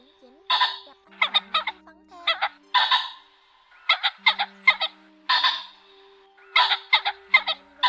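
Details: Ring-necked pheasant, male and female, calling the flock together: harsh, raspy bursts in clusters of two or three notes, repeated in irregular runs with short pauses, over a faint steady low hum.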